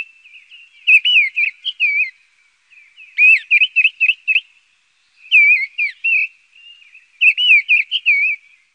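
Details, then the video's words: Mistle thrush (Turdus viscivorus) song: four short, loud, fluty whistled phrases, each about a second long, separated by pauses of roughly a second, against a quiet background. "Canto del Zorzal charlo"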